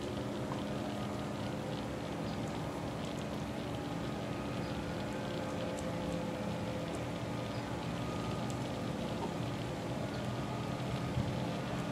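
Steady broadband rumble like rain or a running engine, with a faint low hum throughout and no clear animal calls.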